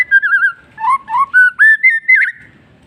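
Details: White-rumped shama singing in the afternoon, mellow warbling whistles that wobble up and down, lower notes stepping upward into higher rippling phrases, about seven notes in quick succession.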